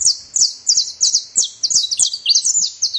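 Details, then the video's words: Saffron finch song of bright, high-pitched chips delivered in quick uneven bursts of two or three notes, some sliding slightly downward, with soft low knocks in the background. "saffron finch singing"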